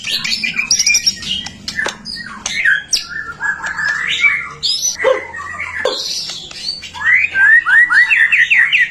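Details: White-rumped shama singing, used as a lure to stir other shamas into song: harsh squawky notes and quick chatter mixed with whistles, ending in a fast series of repeated upward-slurred whistles.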